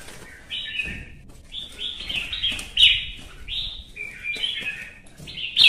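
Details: Red-whiskered bulbul in competitive song, delivering a string of short, clear warbled phrases roughly every second, some sliding downward, with occasional soft clicks or wing sounds in the background.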